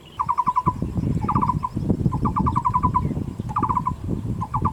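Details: Wild Taiwan Barbet, a species endemic to Taiwan: hollow, knocking notes in quick bursts of five to seven, repeated about every second, over a steady low rumble.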